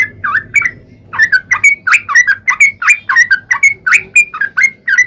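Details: Singing trucuk, the yellow-vented bulbul, used to coax other bulbuls into answering; a continuous run of mellow slurred notes and brief whistles, roughly three per second, over faint low background noise.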